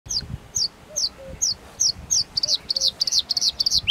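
A bluethroat sings high, clipped metallic notes, first spaced about twice a second, then speeding into quick doubled chips, with faint low whistles in the background.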